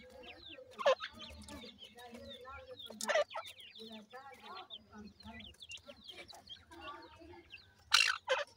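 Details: Grey francolin chicks kept in captive housing peep constantly, many short high descending notes overlapping, over a low buzzing hum and a few sharp rattling bursts.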